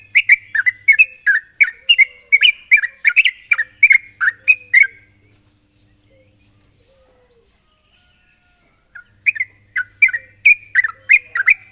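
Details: Rival-calling sooty-headed bulbul: a long volley of brisk bubbly whistled notes for about five seconds, a four-second silence, then the chattering run resumes, over a continuous high hiss.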